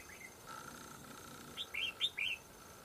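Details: Red-whiskered bulbul during fight-trapping with a decoy, a fierce wild bird coming in fast over territory: after a quiet start, a quick run of four bright, warbled, rising-falling notes, with steady low background hum.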